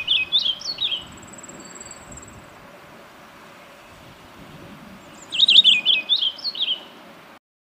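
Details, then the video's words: Purple finch song in two bursts of quick, high warbled notes, the first brief and the second longer and looping, separated by a quiet stretch with faint background hiss and a thin distant whistle. "O canto do Tentilhão roxo ( Haemorhous purpureus )"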